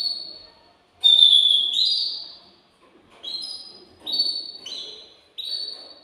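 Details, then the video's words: Excited male canary in a cage singing to prompt a female to mate: a long bright whistled note, then short trilled phrases repeated in bursts separated by brief pauses. "تغريد ذكر كناري هائج يريد تكسير القفص يحفز الأنثي لتزاوج"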